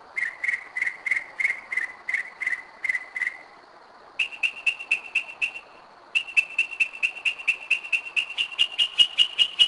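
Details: Northern mockingbird singing at 2am in Kennesaw, Georgia: a run of short, clear whistled notes rapidly repeated near one pitch, then a pause and a higher repeated series, each phrase made of many identical bursts.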